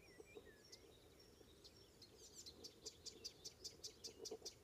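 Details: Icterine warbler singing on a May morning, 19 May 2016, north of Hollum on Ameland, Netherlands: a quick series of sharp high chips repeating about twice a second, with a few slurred whistles at the start and faint background hum.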